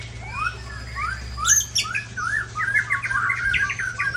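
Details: Big-bodied white-rumped shama from Ujong Pancu, Aceh, singing a varied run of short whistled phrases, upswept and downslurred notes rising into a fast trilled, chattering stretch near the end, over a steady low hum.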